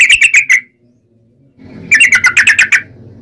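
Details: Yellow-vented bulbul (trucukan) in lively, long-rolling song, used as a lure to make other bulbuls sing back: a quick run of bright chattering notes, a short pause, then a longer burst of rapid, bubbly phrases.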